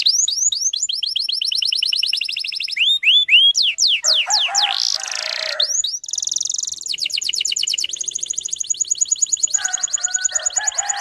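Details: Canary lure song in the dense 'tembakan rapat' style, aimed at young untrained canaries. Varied phrases shift between quick trills, repeated downslurred whistles and a harsh buzzy stretch, ending in a steady rapid rattle with a soft lower warble.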